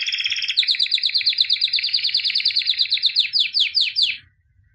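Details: Albino white canary, described as a 2017 champion, singing a steady rapid trill of repeated notes that ends in a few slower downward-sweeping whistles before silence.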